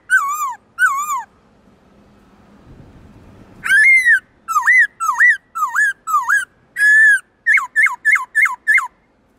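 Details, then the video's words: Two falling whistles from a kept black-throated laughingthrush, a pause with faint low rumble, then a lively run of about a dozen hooked, looping whistled notes in quick succession. "Khướu bạc má hót nhiều giọng kích bổi cực nhạy/Luyện khướu bạc má hót giọng rừng cực chuẩn"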